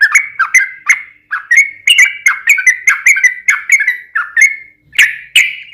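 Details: Sooty-headed bulbul, a lively chattering whistled song used to draw other bulbuls into singing, notes falling and rising in quick succession, ending with two louder calls.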